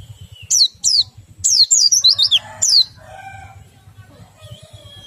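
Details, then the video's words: Oriental white-eye song to stimulate other white-eyes to sing: bursts of high, sharply descending chirps, then fainter lower whistled notes and quiet background. "PLECI meriwik ngerol sambung nembak, sangat ampuh merangsang pleci ikut bunyi"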